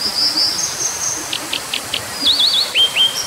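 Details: Brown dipper: thin high whistles, a row of sharp evenly spaced ticks, then a fast zigzag trill and falling slurred notes, all high-pitched over a constant hiss.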